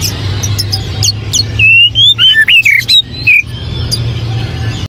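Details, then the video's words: White-rumped shama delivering a quick run of clear whistled notes, some sliding up and some down, in a lively phrase of about two seconds amid quieter chirps and a low steady hum. "SUARA BURUNG KUCICA HUTAN"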